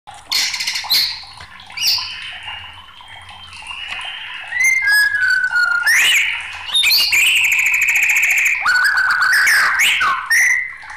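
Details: Agitated white-rumped shama, kept as a songbird, pouring out a loud, varied song: sliding whistles, rapid buzzy trills and harsh bursts, with fast repeated notes around the ninth second.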